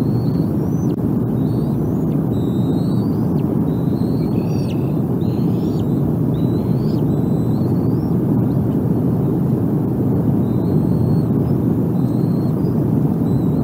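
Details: Bald eagle nest on April 14, 2021, adults feeding two hungry eaglets: scattered high, piping whistles with rising and falling slurs, clustered in the middle and again near the end, all masked by a strong, continuous rushing background.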